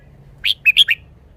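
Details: Caged red-whiskered bulbul showing its song phrasing: one crisp phrase of four quick, bright, slurred notes, sharp and clear over a quiet background.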